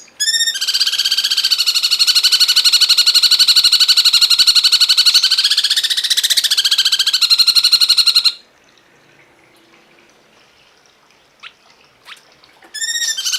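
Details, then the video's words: Cungkok masteran recording with a long, loud, buzzy trill of fast, regular pulses sustained for about eight seconds. Its pitch wavers slightly before it ends abruptly, and after a quiet gap the trill starts again. "masteran burung cungkok"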